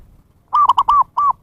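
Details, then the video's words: Zebra dove lure call for attracting wild birds: a short rolling run of four clipped, mellow coos, the last slightly separated, over faint low background rumble. "SUARA PIKAT PERKUTUT นกพิราบชวา Chim Cu Vằn | memanggil burung liar"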